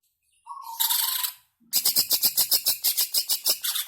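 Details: Greater green leafbird song used to provoke caged birds into singing: a brief buzzy burst, then a rapid run of harsh sharp notes repeated about three times per second.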